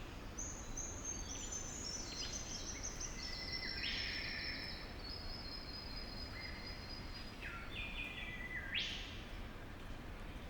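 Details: A male Golden Bowerbird at his bower gives strange, steady high whistles and rasping, buzzy rattling notes in quick succession, an advertising call to attract a female, over a constant rushing background hiss.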